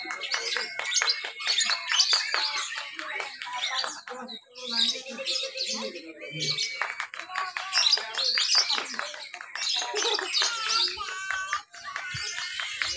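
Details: Competing lovebirds, Lovebird B mixed class, at an irrigation-side contest in Papua, Indonesia, 31 October 2021, singing ngekek while crawling along cage bars. Unbroken dense chattering of high chirps and thin whistles from many birds.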